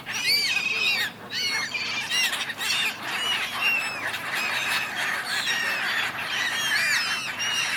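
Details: Crowd of gulls arguing over something on the River Dnipro in Kyiv, Ukraine, January; constant tangle of screeching, down-curved calls from many birds at once.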